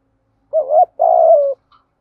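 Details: Decoy spotted dove cooing to lure wild doves: a short two-part coo, then a longer level, hollow coo that dips slightly at the end, clean with no other sounds.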